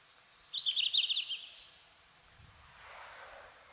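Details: Summer song of a red-flanked bluetail in subalpine woodland such as around Mount Fuji: one quick, cheerful warble of a dozen tumbling notes near the start, then quiet with a soft rushing noise and low rumble.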